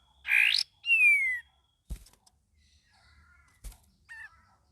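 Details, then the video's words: Young sooty-headed bulbul learning to sing, giving loud whistled notes: a bright upward-sweeping phrase, a long descending whistle, then sparse softer whistles with two sharp clicks between. "KAPAS TEMBAK BELAJAR GACOR PENUH VARIASI"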